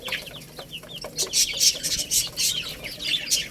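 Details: Chicken chicks eating rice, giving a quick series of high, thin peeps that slide downward, mixed with dense clicking and pecking noises.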